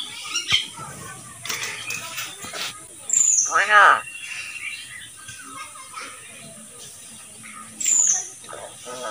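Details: A pet common hill myna that can say various words gives high, piercing, downslurred whistles separated by gaps, plus one harsh, nasal, voice-like phrase, with scattered clicks and quiet background noise.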